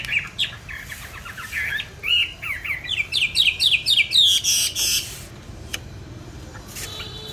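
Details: Caged songbird, bought 19 May 2020 and kept on steady feed, delivers a rising series of quick, buzzy warbled notes for about five seconds, then falls quiet apart from faint clicks.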